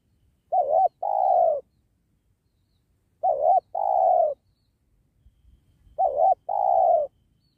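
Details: Spotted dove (tekukur) coos recorded while trapping wild doves by a sacred tree. Three evenly spaced phrases, about every three seconds: a short undulating coo, a small gap, then a longer mellow falling note.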